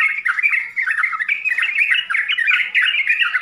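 Yellow-vented bulbul in a dense, nonstop run of bubbly, chattering phrases that jump and warble in a bright mid-high register, with no pauses.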